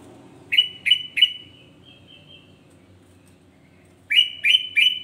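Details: Sooty-headed bulbul singing to stir up other bulbuls: three sharp, upslurred whistles with a drawn-out tail, silence for about two seconds, then three more in steady rhythm.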